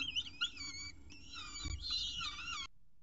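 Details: Peregrine falcons at their nest in Orange at the 6:36 am first feeding, 21 October 2018. Overlapping high, strained whistled calls with rich harmonics run continuously and stop abruptly near the end, over a low background rumble.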